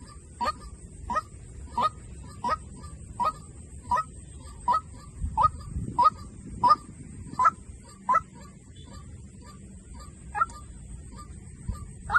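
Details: Long run of White-breasted waterhen decoy calls, about seventeen harsh clucking notes at an even pace, a pause near the tenth second before calling resumes, with low rumbling noise and a faint high hiss.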